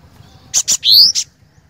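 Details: Cinereous tit delivering a crisp phrase: paired short chips followed by a long upward-gliding whistle and one more chip, strong and clear over quiet background.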